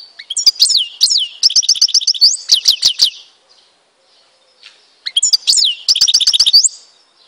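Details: European goldfinch singing, Tizi Ouzou, Algeria. Lively phrases of quick, tinkling high notes and rattling trills are broken by a short pause, then a second similar phrase.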